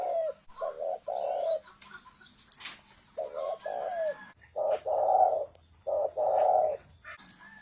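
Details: Spotted dove, a 'thổ sấm' style cooing bird, giving loud low hollow coos in grouped phrases of two to three notes, with short pauses between phrases, plus faint chirps from other birds and a steady high whine.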